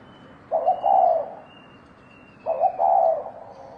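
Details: Fighting 'thổ đồng' call of a spotted dove used to provoke males: two loud hollow coo phrases two seconds apart, each a short stammered start flowing into a long, vibrating rolling note.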